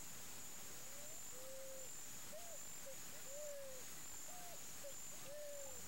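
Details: A Picazuro Pigeon in Campo Grande, Mato Grosso do Sul, Brazil, gives soft, low coos, short notes mixed with longer drawn-out ones about every second, over a steady high insect drone.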